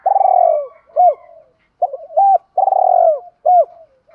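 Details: Decoy spotted dove cooing in the 'chiêu hai hậu' style to lure wild doves: a low, rolling, purring coo followed by short, hooked, rising-falling notes. The phrase repeats twice, with soft quiet trailing coos between phrases.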